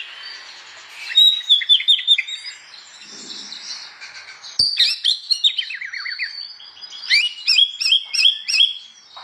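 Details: An Oriental magpie-robin sings loudly in the morning, goading other magpie-robins to answer: bright whistled phrases, a falling series of quick slurred notes, and rapid repeated high chirps in bursts.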